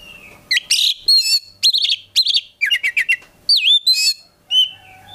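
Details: Full, energetic song from a kept Oriental magpie-robin, a prospective contest bird: clustered buzzy notes, rapid chattering triplets, a clear downward-swooping whistle and scattered bright chirps, with a faint low hum beneath.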